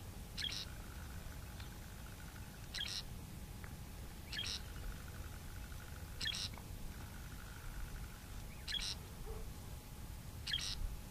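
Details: Morning birdsong at El Fraile, Arona, in the south of Tenerife: short, bright, high calls repeated about every two seconds, fairly faint over a steady low rumble.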